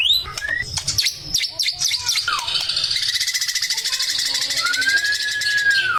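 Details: Male white-rumped shama song: varied quick slurred whistles and sharp chips, then a long fast rattle-like trill underlying a sustained pure whistle that slowly falls at the end.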